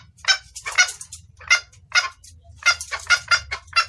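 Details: Female red junglefowl, a hen calling the male with a clear lure call: loud, clipped clucking notes in uneven bursts, a brief pause midway, then a rapid cluster of clucks near the end.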